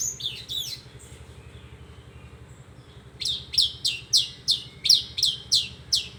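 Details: Horsfield's bush lark singing: a few sharp opening notes, a quiet gap, then a series of bright, descending whistled sweeps repeated about every half second, with a constant low hum behind.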